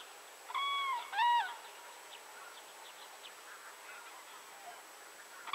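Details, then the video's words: Common crane calling twice in quick succession: a level trumpeting note, then a louder, rising-and-falling bugle, both rich in overtones, followed by faint distant crane calls and soft background noise. "Common Crane / Żuraw"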